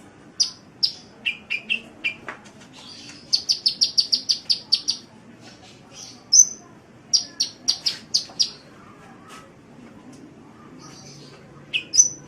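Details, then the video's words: Sunbird tutor-recording song: high, scattered chips and short downslurred notes, then a fast run of about nine evenly spaced piercing notes, followed by more sparse high chirps over a quiet hum. "Masteran Suara Kolibri"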